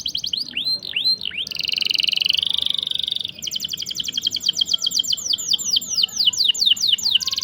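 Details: Canary performing a long rolling song for tutoring young or stalled canaries: looping whistled notes, a sustained buzzy tone, then a lengthy chain of rapid repeated downswept notes.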